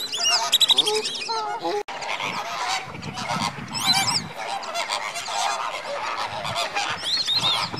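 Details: Captive greater flamingo flock at Slimbridge, January 2016, active before bedtime, calling together in a dense overlapping chorus of nasal, goose-like honks and gabbling at varied pitches with no pause.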